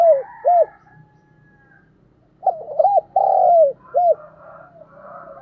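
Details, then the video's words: A spotted dove used as a decoy to call in wild doves: two short low coos, a pause, then a full phrase of quick double coo, long falling coo and a short closing coo, with a soft hum behind. "Chim cu gáy mồi chuẩn thúc & gáy gọi kích bổi nhanh nổi hiệu quả"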